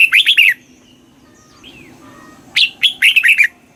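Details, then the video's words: Red-whiskered bulbul, southern Thai master-style song meant to stir caged birds: two clear whistled phrases of rapid downward-sliding notes, separated by a two-second gap containing a faint distant call. "เสียงนกกรงหัวจุก ร้อง ริก เปิดให้นกฟัง ยั่วให้นกคึกจัด chao mao hot, chào mào hót"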